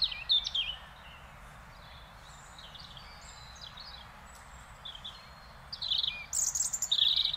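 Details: Song of a European robin in the Netherlands: a short high warbled phrase, a long gap with faint distant chirps, then a bright closing burst of very high, sharp trills and squeaks.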